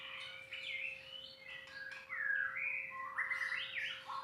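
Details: White-rumped shama singing a varied run of clear whistled phrases, mostly mid-high, with sliding notes and a steady faint electrical hum underneath.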